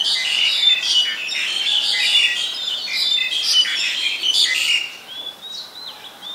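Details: Black-collared starling in Ubon Ratchathani, Thailand, 2 January 2020, giving a dense run of loud grating squawks and chatter for about five seconds, followed by softer, clearer rising whistled notes.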